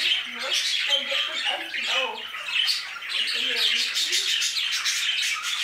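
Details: Squawky, twittering chorus of budgerigars in an aviary, many birds at once, with wavy lower warbling phrases repeated underneath during the first four seconds.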